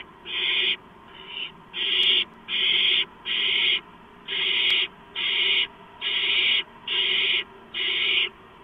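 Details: Barn owl at its nest late at night, 11:43 PM on 2 April 2015, as a gopher is delivered as prey. About ten harsh, rasping hiss-screeches in under nine seconds, each roughly half a second long, repeated in a steady rhythm.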